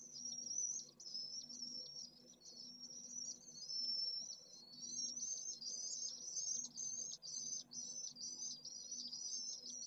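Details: High, thin trilled screams of a Pallid swift nest holding one chick, in Jerez de la Frontera's city-centre heat island on 25 August at solar midday, heatwave over 44°C; calls run nearly continuous, with a steady low hum beneath.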